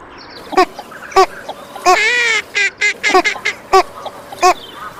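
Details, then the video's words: Female Northern Shoveler producing a busy run of short nasal quacks, roughly one or two a second, broken by a longer buzzy drawn note, with quicker clipped notes clustered in the middle. "صوت طبيعي لأنثى أبومجرفة الشمالي|Northern Shoveler female"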